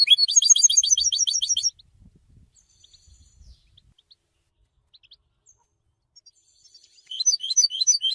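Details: Goldfinch song meant for song training: a fast, high, chattering phrase of rapid notes, a long near-silent gap, then the twittering resumes more faintly at the end.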